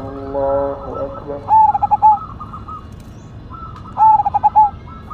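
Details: Zebra dove of the Cemani Majapahit kind, said to be a strong singer, gives two stuttering cooing phrases of quick pulses ending on a held note, after a brief harmonic tone; other doves coo softly nearby.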